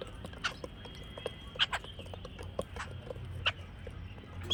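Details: Jungle babblers give scattered harsh, rasping notes and a few thin high squeaks at irregular intervals, over a low background rumble.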